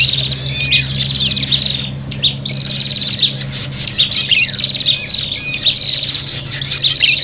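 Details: Noisy, agitated prinia calls from a fight, used to lure birds: harsh rattling buzzes and scratchy squawks tumbling over each other in fast bursts, a low hum steady underneath.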